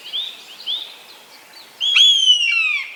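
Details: Eastern buzzard, a large raptor. A few faint, short, distant mewing notes come first, then one loud, clear call that starts sharply and slides downward for about a second with bright harmonics.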